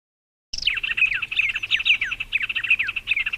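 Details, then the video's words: Birds of the Brazilian Cerrado singing: after a short silence, a busy run of chirps and quick down-slurred whistled notes, high and bright, continuing without pause to the end. "CANTO de AVES do CERRADO BRASILEIRO"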